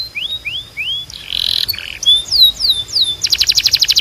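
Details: Belgian canary singing: rising whistled slurs, then a buzzy band, descending swept notes and a fast, evenly pulsed high trill at the end.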